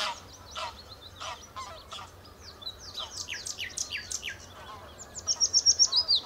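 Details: Song of a common nightingale at the Horsmeertjes on Texel: scattered harsh notes and quick downslurred high chirps building into a loud, rapid run of repeated notes at the end.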